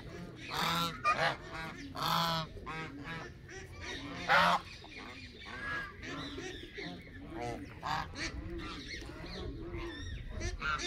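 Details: A flock of Canada geese honking, dense overlapping harsh honks at uneven intervals, some loud and clear, others softer in the background chorus.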